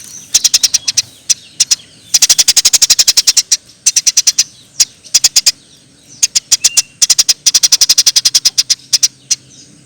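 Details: Energetic Eurasian tree sparrow, for training songbirds: repeated quick runs of sharp, high chirps, some groups long and dense, others only two or three notes, with brief pauses between.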